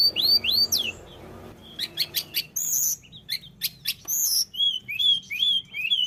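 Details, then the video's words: Energetic tledekan gunung, used to trigger other birds' song: arched whistles, sharp stuttering notes, varied chips, then a repeated series of clear, wavering whistled phrases. "tledekan gunung gacor"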